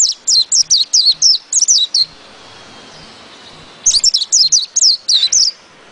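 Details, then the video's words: White-eye singing two long rapid runs of high, bright, downslurred whistles, about a dozen notes each, separated by nearly two seconds of quiet. "PLECI NGEROL NGALAS"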